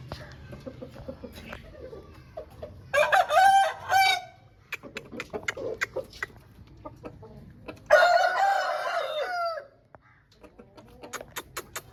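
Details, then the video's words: Aseel rooster, home breed, crowing twice about five seconds apart, each crow a loud rising-then-falling harmonic call lasting over a second, with scattered clicks and taps around them. "Home Breed Rooster Aseel Birds Showing || Aseel Birds Sound Effect"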